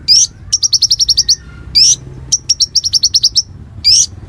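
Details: Konin singing as a tutor song for other songbirds: strings of evenly spaced high chips, about ten in a row, between rising, slurred whistled notes.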